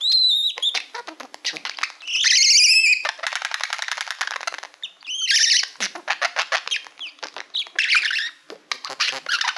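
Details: Budgerigar kept as a pet, a male who loves mirrors, singing at a shiny plaque; long run of rapid clicking ticks, rising whistles and high squeaky warbles with harsh bursts.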